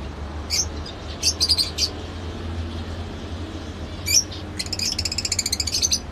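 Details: Lovebird giving sharp, high chirps in short bursts, a pair of notes near the start, a cluster around one and a half seconds, then a rapid stuttering run of chirps over the last two seconds, against a faint low hum.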